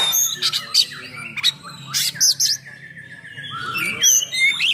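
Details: Oriental magpie-robin song, described as heavy, full-throated and harsh, used to provoke and train other magpie-robins: loud mixed phrases of buzzy bursts, sharp chips and a long level whistle, high-pitched and varied.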